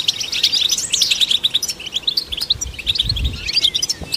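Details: European goldfinch song for stimulating goldfinches: an energetic run of sharp chirps and buzzy trills that eases off toward the end, with faint low rumbles.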